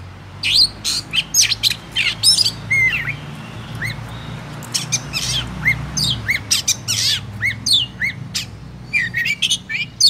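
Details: An Oriental magpie-robin in Vietnam sings a song meant to provoke other birds to sing: a loud, varied run of sweet whistles, rising slurs and harsh squawky notes in quick bursts with short pauses, over a low hum.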